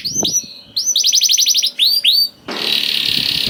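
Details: Young canary song meant to spur other canaries to sing. Short whistles and a quick trill are followed by arched down-slurred notes, then a steady hissing noise takes over for the last second.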